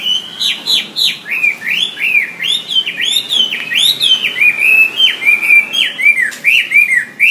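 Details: Wambi singing for songbird training, a long run of clear whistled notes, each dipping and rising in a slurred arc, delivered rapidly and continuously with little pause; quiet background.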